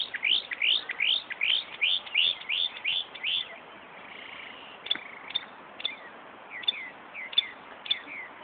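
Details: Northern mockingbird at Buckland Park, Brighton, New York, mimicking a car alarm: a fast series of about nine rising, upswept notes, then a switch to scattered sharp chips and short buzzy phrases.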